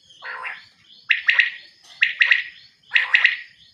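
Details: Female quail calling, a soft opening note followed by three sharp, chattering bursts of clipped notes repeated roughly once a second in a quiet setting.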